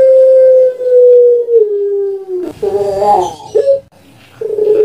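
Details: A kept puter pelung dove (Streptopelia risoria) gives a long, low, steady coo that slides slightly lower, then a few shorter, rolling, broken coos, used as a master call to prompt other doves; the room sounds faintly close and indoor.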